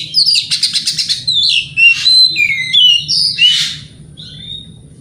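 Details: White-rumped shama in morning song used to provoke rival birds to answer, opening with a fast rattling trill followed by varied slurred whistles and a harsh burst, then fading quieter.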